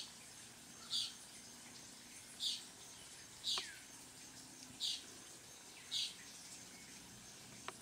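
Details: Puerto Rican tody (San Pedrito), a small endemic of Puerto Rico's forests, giving five short, high, buzzy beeps spaced a little over a second apart, over a steady soft background hiss.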